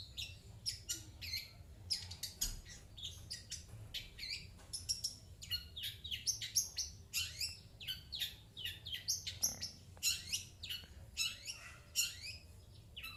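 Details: Pet long-tailed shrike calling in reply to coughing sounds: a busy run of sharp, chattering high chirps and short rasping notes, tumbling irregularly with brief pauses, against quiet low background noise.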